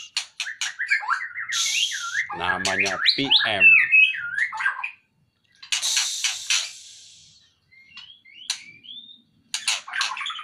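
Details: Male white-rumped shama lifted out of its cage, delivering a rich run of looping whistles, clicks and rattling notes, then quieter scattered whistled phrases after short pauses.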